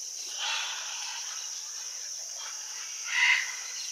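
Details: Two harsh, raspy macaw squawks, one early and one louder near the end, over a steady high insect drone, at a Rio Tambopata clay lick in Peru where Scarlet, Red-and-green and Blue-and-yellow Macaws gather by the hundreds.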